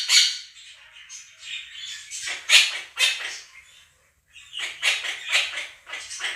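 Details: Two pet monk (Quaker) parakeets give harsh, grating screams in irregular bursts, one after another, loud enough to drown out a recording of a chattering budgie flock played to them in a small room.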